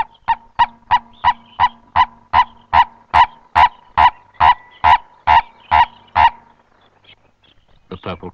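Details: A Purple-crested Turaco (lourie), a bird of thick undergrowth and riverine forest near water, gives its raucous morning call: about seventeen loud, harsh, croaking notes at a little over two per second, followed by a short different sound.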